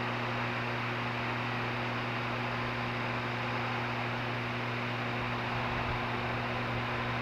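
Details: Steady electrical hum with constant broadband hiss throughout, no calls or other distinct sounds.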